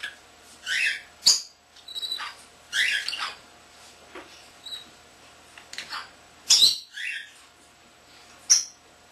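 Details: Common starling kept as a pet, not yet a year old, chattering and mimicking; short separated bursts of harsh, buzzy notes and sharp clicks spaced every second or two, with quiet gaps between.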